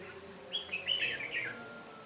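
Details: Red-whiskered bulbul decoy singing to fight rivals during trapping, 13 January 2017; one quick run of bright, slurred whistled notes lasting about a second, with a faint steady hum beneath.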